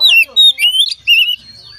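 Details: Oriental magpie-robin singing to prompt other magpie-robins to join in: loud whistled phrases, sliding and wavering notes in short bursts separated by brief pauses.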